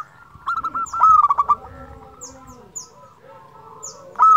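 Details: Local zebra dove song, used to stimulate other doves: a short run of rapid stuttered notes, a pause, then a new phrase starting at the end, with thin high chirps from other small birds in the background.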